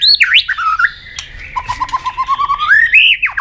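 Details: White-rumped shama singing a competitive song: loud swooping whistles, then a fast run of short even notes repeated about five times a second, ending in rising and dipping whistles.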